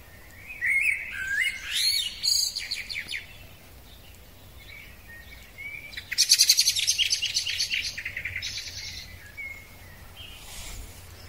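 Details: Spring singing from a male common blackbird: a warbled, fluty opening phrase, a long pause, then a dense burst of rapid, high scratchy twittering.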